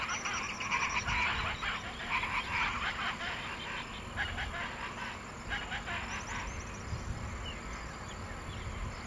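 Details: Wattled jacana of the nominate subspecies at Porto Jofre, Pantanal, Brazil, 27 September 2013: a rapid run of scratchy, chattering calls over the first six seconds, fading to quieter scattered notes against constant insect buzz.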